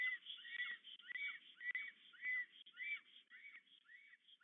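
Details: A black stork pair greets each other and courts at their nest in the evening near Łódź, Poland, on 8 April 2022, just after both returned. They give a run of hoarse, wheezy whistled notes, roughly two each second, with a few soft low clicks underneath.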